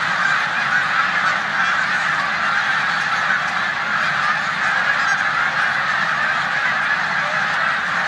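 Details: Migrating snow geese gathered in a corn field on Olmstead Road, Savannah, New York, mid-March 2020, alongside resident Canada geese; a constant wall of high-pitched honking from many birds at once, steady throughout.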